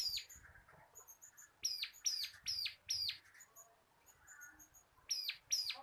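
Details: Caged bar-winged prinia of the local crystal type, singing for cage-bird training: groups of three to four very high, sharply falling notes with faint tinkling notes between, and a quiet pause in the middle.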